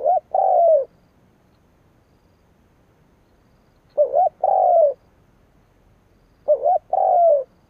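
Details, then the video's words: Decoy spotted dove calling to rouse rivals: three two-part coo phrases spaced about three seconds apart, a quick wavering opener then a sustained, gently falling hoot, otherwise quiet. "Cu mồi gáy gù / Tiếng chim cu mồi kích bổi / Cu mồi gáy bổi nghe hăng máu"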